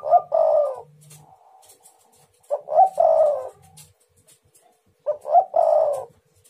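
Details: Spotted dove calling to lure rival doves into answering: three coo phrases, each two or three quick notes then a longer, falling coo, spaced about two and a half seconds apart.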